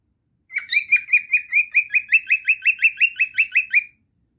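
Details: Cockatiel singing a rhythmic run of bright, rising chirps that repeat at a brisk, even pace for over three seconds, with quiet before and after.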